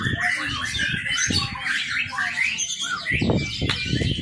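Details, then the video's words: Young white-rumped shama singing as a lure for training, with scratchy warbles and brief whistles, interrupted by loud low knocks and bumps. "murai batu muda. cakep buat pancingan"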